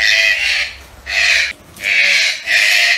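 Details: Green-billed toucans, also called red-breasted toucans, kept as pets: loud, harsh, rasping croaks in four bursts over three seconds, each about half a second long, separated by brief gaps, over faint background hiss.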